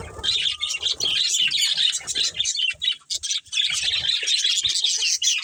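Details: Budgerigars from a breeding pair in a colony chirp continuously, dense overlapping high warbling and chattering notes with brief pauses, several birds calling at once.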